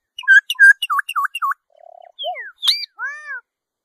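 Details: Series of bouncing, looping whistled notes from a solitary cacique, about six in quick succession, followed by a low buzzy note, falling and rising slurs, a sharp high note and a final arched whistle.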